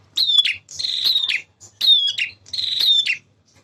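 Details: Male bar-winged prinia singing vigorously, used as a lure for young birds: four buzzy, rasping phrases with a high whistled streak, each about half a second long, evenly spaced.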